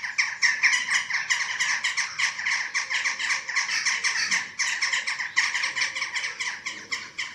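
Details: Eurasian eagle-owls at a webcam-watched nest in Germany, 27 March 2024, while chicks are fed: a steady run of harsh, raspy squawks, about four per second, keeping on with hardly a pause throughout.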